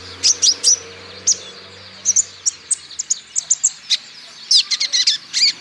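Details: Olive-backed sunbird, a male kept for song training, played to stimulate other sunbirds to sing; very high, sharp chirps and short trills come in quick bursts, with a faint low hum underneath.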